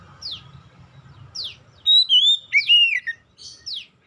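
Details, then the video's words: A magpie-robin, the oriental species, sings to set other magpie-robins singing; soft sweeping zips over low rumble give way to a short run of clear looping whistles and a final downward sweep. "PANCINGAN Kacer bahan cepat gacor"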